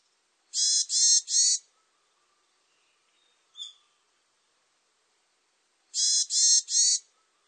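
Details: Varied tit giving harsh, nasal, buzzy notes in two groups of three, each group lasting about a second, with a faint short note between and silence otherwise.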